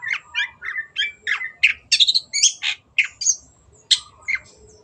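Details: Cendet, the long-tailed shrike, in full gacor song: clipped squeaky notes and harsh chirps repeated in quick bursts, with short downward slurs in between.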